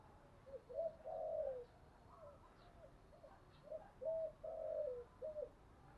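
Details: Spotted dove cooing played as a lure for wild doves: several soft, hollow coo phrases, with a drawn-out purring note in each group, heard over steady low background hiss.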